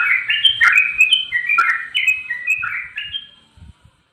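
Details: Straw-headed bulbul, wings flapping as it sings, pours out a burst of rich gurgling whistled notes that step up and down, then fades to silence with a few soft knocks.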